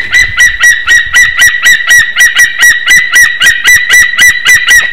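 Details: White-tailed eagle pair at their nest in Latvia's Slītere National Park, afternoon of 1 May 2021, during mating, from a nest camera. Rapid, evenly spaced yelps repeat about four times a second, loud and ringing.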